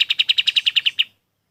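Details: Golden-bellied gerygone, locally kapas tembak, used as a training recording for other birds. One clean run of eleven bright, high notes, evenly spaced at about ten per second, lasts just over a second before stopping.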